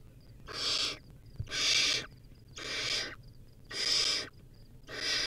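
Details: Nest-cam owlet of a wild barn owl, rodent meal in progress, rasps out five loud hissing calls in quick succession, nearly one per second.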